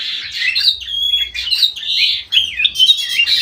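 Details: Bulbul, white-eyed golden form, singing very actively in an aviary: fast chattering warbles and sliding whistled notes, bright and high, in quick bursts with brief pauses.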